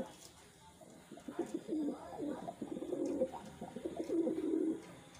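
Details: Captive wild pigeons coo in a low, continuous, overlapping murmur for several seconds, with several birds possibly calling at once, over a quiet background.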